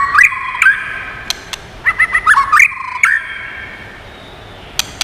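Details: Many-voiced song of a White-rumped shama, meant to excite and train other shamas: short fluty whistles with quick upward slurs, then a busier burst of warbling notes and crisp clicks, followed by near silence with scattered ticks.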